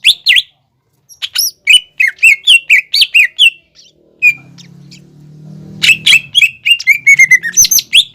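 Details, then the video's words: Energetic greater green leafbird song played to prompt a young bird to start singing: fast series of clipped chirps and down-slurred whistles, a pause with a steady low hum, then the rapid chatter returns. "PANCINGAN CUCAK IJO GACOR UNTUK MEMANCING CUCAK IJO BAHAN BELAJAR BUNYI"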